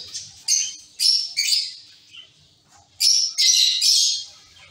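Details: Caged zebra finch colony: a few high nasal chirps in quick groups, a lull with faint calls, then another cluster of bright overlapping notes.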